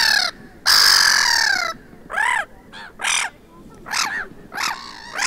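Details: Black-headed gulls quarrelling at a beach in Vannes, Brittany, France, on 6 March 2023: a long harsh screeching cry, then a run of short nasal, arched squawks in quick succession, several birds calling over one another.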